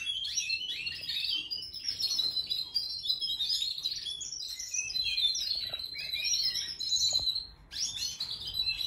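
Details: A 4-month-old canary sings in a canary room among several canaries, a dense, high chorus of rapid trills, twitters and bright warbled phrases that runs almost without pause.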